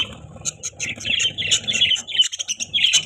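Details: Pet budgies chattering continuously, a rapid stream of high chirps and warbles with faint low rustling underneath.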